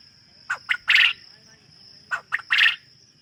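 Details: Caged farm quail repeating a three-note phrase twice about one and a half seconds apart, two short raspy notes followed by a longer, louder buzzy note, with a constant high-pitched whine behind.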